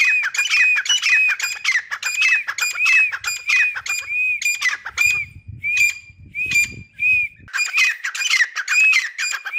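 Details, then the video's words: A pair of caged grey francolins call continuously: raspy, squawk-like notes topped by ringing arched whistles, about one and a half per second, with a soft low rumble partway through. "Active Irani Teetar Pair Beautiful Voice in their Cage | Teetar ki Awaz Pinjray main | Teetar Boli"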